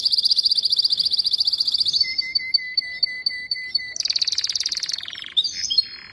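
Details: Male canary singing as it forces a female to mate: a fast buzzy trill of repeated notes, then spaced sharp chirps over a steady tone, another rapid rattling trill and scattered short notes.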